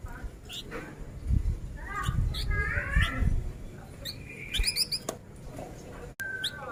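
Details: Male flamboyan singing rapidly: bursts of short chirps and warbling notes, a sharp high tick series, and a brief whistled note near the end, over low rumbling noise.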